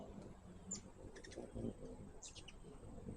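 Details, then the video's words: At a feeder, hummingbirds give scattered high, sharp chips and a brief twittering flurry, heard over a fairly loud low background murmur. "My first hummingbird video with natural sound."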